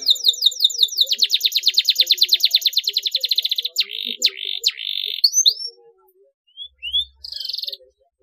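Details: Canary sound played to coax quiet, lazy canaries into singing: a long run of rapid repeated whistled notes merging into a buzzy trill, then brief rising chirps and a short rattle.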